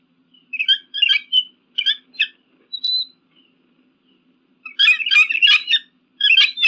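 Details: Eagle call, offered as a deterrent against pigeons and crows: short bursts of high chirping, chattering notes in quick clusters, with a single thin whistle midway and a denser chattering run near the end.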